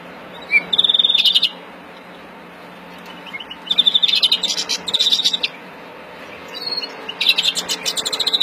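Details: Agitated Verdune mutation European greenfinch, April 2016, breeding song heard as short bursts of rapid trilling and chirps spaced by quiet stretches, over a low steady background hum.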